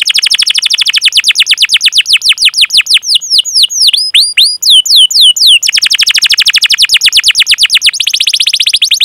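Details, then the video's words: Vigorous domestic canary in long rolling song with 'cuit cuit' chirps, used as a training lure to coax young or silent canaries into singing: dense high trills of rapid downward-sweeping notes, a slower stretch of wider spaced sweeps midway, then fast trilling resumes. "Masteran Suara Burung Kenari Gacor Panjang cuit cuit Ngerol untuk Pancingan Kenari!"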